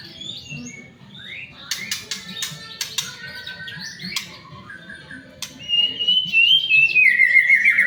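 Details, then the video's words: Prompting song of a white-rumped shama to get others singing fast: a series of clicks and soft chirps, then a loud, long, clear whistle that falls gradually at the end. "pancingan murai batu agar cepat bunyi"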